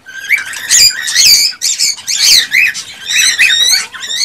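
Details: A male cockatiel in excited song to get the female to mate and breed, delivering a continuous stream of loud warbled whistles and harsh chattering notes, rising and falling, with barely any pauses.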